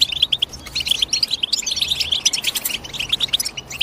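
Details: European goldfinch giving a rapid series of high, clipped chirps and short trills, building into denser, overlapping chatter toward the middle and tapering slightly at the end.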